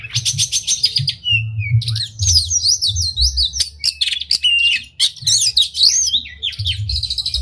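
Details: Oriental magpie-robin singing with tail open, a unique song used to excite other magpie-robins into singing: dense, rich medley of sweeping whistles, buzzy trills and sharp clicks, nearly continuous, above a faint low drone.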